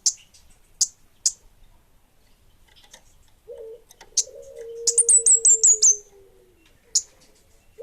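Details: Lively singing from an orange-headed thrush, bunga api type: scattered sharp high chips, then a rapid run of about eight high slurred whistles, overlapping a low sliding coo from another bird.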